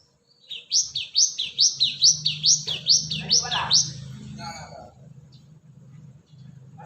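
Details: Cinereous tit call used as a lure to attract birds: a rapid series of about seven sharp, sweeping whistled notes, each dipping then rising, repeated roughly twice a second, then fading into a low background hum.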